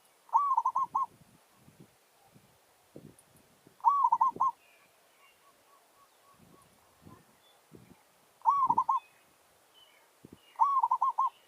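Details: Territorial challenge song of a village zebra dove set out to lure wild doves: four brief rolling coo phrases spaced about three seconds apart, with faint taps and clicks between them.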